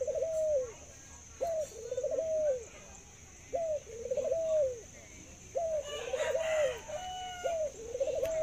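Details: A kept zebra dove, an ornamental bird praised for its laughing voice and very long coo. Four phrases, each a short rising note followed by a rippling, purring coo that falls away, come roughly every two seconds over faint background noise.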